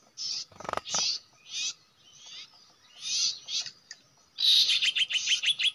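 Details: Common iora at a usual nesting site, a place where birds are trapped: bursts of high, buzzy notes alternate with short gaps, and a fast run of clipped trilled notes comes near the end, alongside a few low handling thumps.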